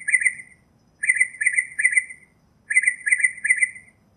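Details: Northern mockingbird song in which a chattering phrase of three or four quick notes is delivered, paused, then given again about once every one and a half seconds.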